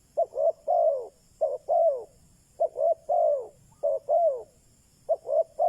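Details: Decoy spotted dove calling to lure and provoke wild doves: mellow low coos in phrases of a short note then one or two longer arched notes, five phrases in six seconds, steady faint high hiss behind.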